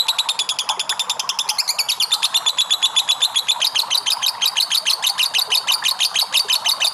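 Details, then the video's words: Lovebird delivering a long ngekek as a lure recording: a sustained, scratchy chatter of quick repeated high notes, steady and loud throughout, with a thin whistled tone woven in midway. "PANCINGAN LOVE BIRD NGEKEK PANJANG !!"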